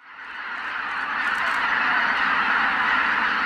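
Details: Greater white-fronted geese in a large flock on a marsh, all taking off together at sunrise. A dense chorus of overlapping nasal honks swells in from quiet and holds as a steady, unbroken roar of many birds.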